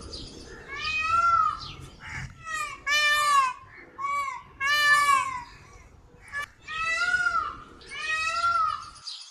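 A peacock gives loud, nasal, cat-like wails, about six arching cries in loose pairs every second or two, over faint background hiss.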